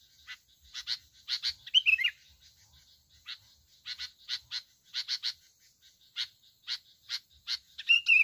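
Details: Bulbul from Bình Thuận, Vietnam, fighting over territory and a roosting spot: a run of dry, rapid clicking bursts repeated in quick clusters, broken by two short whistled, warbling phrases near the start and at the end.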